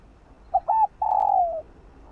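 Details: Spotted dove cooing in the morning, from a full song of calling, urging and cooing phrases: two short clipped notes, then one long, level coo that slides downward at the end. Quiet background.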